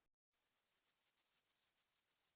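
Black-and-white Warbler: a thin, very high, squeaky two-note phrase, wee-see wee-see, repeated rapidly about eight times like a turning wheel.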